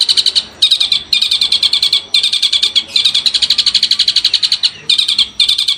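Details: Long-tailed shrike masteran training song, loud bursts of fast high chattering notes in phrases about a second long, separated by brief gaps, with a faint background hiss.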